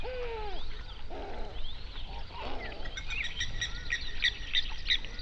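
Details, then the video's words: On an Overberg lake in South Africa, a large flamingo flock calls at sunrise. A low, drawn-out honk opens, then rough grating bursts follow, giving way to quick, high chirping notes. "Flamingo sounds"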